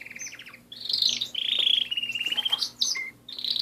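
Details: Canary song, loud and close: a quick rattling trill, then sustained, rolling, buzzy tours of rapid notes at a steady pitch, a short low whistle, and a new high trill starting.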